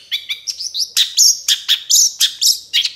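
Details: Long-tailed shrike tutor recording of full varied song, used to train caged birds to sing: rapid sharp chirps and short rising whistles about once a second, bright and high, clean background.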